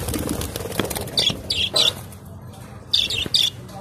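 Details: Budgerigars in blue, green, red and yellow plumage utter quick clusters of high chirps in two bursts, over a hissing, noisy background with faint flapping.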